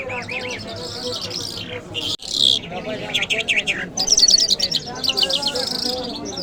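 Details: Lark singing: bright, rapid chirped phrases and sweeping whistled notes in a fast varied stream, broken by a brief pause, with voices murmuring in the background.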